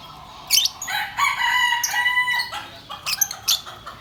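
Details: A green pet lovebird chatters in sharp, high chirps and squeaky notes, with a longer warbled phrase in the middle of the run.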